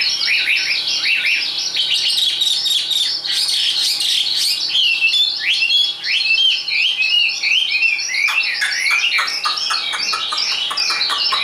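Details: Caged, hand-tamed Chinese hwamei bred for fighting contests: busy, harsh-edged song of rapid squeaky notes and chatter, mixed with looping whistles, sustained for over ten seconds.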